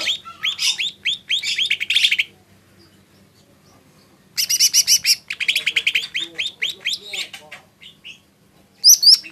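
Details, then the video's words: Lesser green leafbird giving long runs of fast, rasping, chattering notes. A quiet pause of about two seconds separates two sustained bursts, and the song ends with a sharp high whistle. "Suara burung cucak ijo mini"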